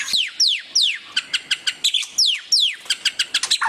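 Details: Loud ngeriwik chattering of a white-rumped shama, a tutor recording: repeated steep downward whistled sweeps alternating with quick sharp clicks, roughly three notes a second.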